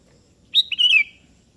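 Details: Single melodious phrase of the kutilang kebo, or sooty-headed bulbul, calling out to a rival: a sharp opening note leading into a rolling whistled warble that trails off downward.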